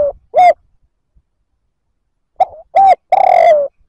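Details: Spotted dove giving provoking coos aimed at other males: a brief hollow coo, a pause of nearly two seconds, then a quick run of short coos ending in one long, slightly falling coo.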